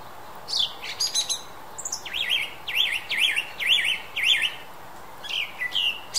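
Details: Western European song thrush singing clear, high phrases: a few sharp introductory notes, then a zigzag whistled figure repeated about five times in quick succession, then further varied notes. The background is quiet.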